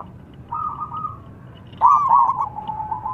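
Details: Lure song of a local zebra dove (perkutut) used in bird trapping: a smooth, sustained coo, then a louder rolling, stuttered coo that fades into a steady trailing note.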